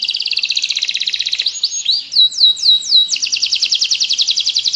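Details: Canary delivering long continuous rolling song, meant for teaching other canaries or prompting lazy ones: an even rapid trill, a few slower swooping whistled notes around the middle, then another fast steady trill.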